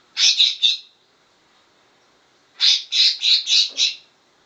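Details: Greater green leafbird mimicking cucak jenggot bulbul song: a quick three-note burst, a pause, then a longer run of five loud, rich chirping notes in fast succession.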